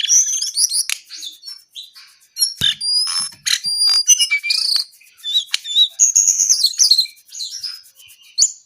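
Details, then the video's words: Brown-eared bulbul in vigorous song, pouring out varied high whistles, sharp clicks and slurred chirping phrases in uneven bursts with short gaps. "KICAU JONGKANGAN COKLAT GACOR TELER"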